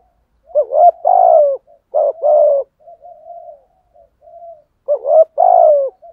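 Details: Decoy spotted dove's methodical cooing: three bursts of a rolling two-part coo, each followed by soft, drawn-out murmured notes. Nothing else is audible.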